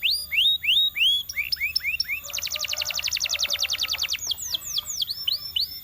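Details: Belgian canary singing a varied song: rising whistled notes repeated in quick series, then a fast buzzy rattling trill of about two seconds, followed by sweeping downward slurred whistles, all loud and clear over a quiet background.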